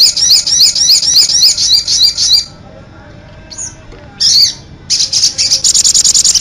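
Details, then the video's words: Sogon bird singing a string of quick, rising high chirps, falling silent, giving a lone short note and a brief burst, then resuming with a fast, dense chattering series. "SUARA BURUNG SOGON / CIT ANTEN"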